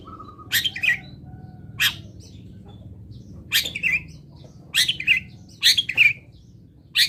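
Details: Long-tailed shrike of a local type singing fill-in material for songbird training: scattered raspy notes, each a harsh burst trailing into a short twisted whistle, roughly one per second, against a low hum.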